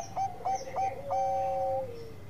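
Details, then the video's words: Zebra dove of the Bangkok perkutut type singing a lure song meant to set other doves calling: three short clipped coos, then a long steady whistled tone that slides lower at the end. "Perkutut Bangkok Gacor Suara Pancingan perkutut lain seketika ikut bunyi"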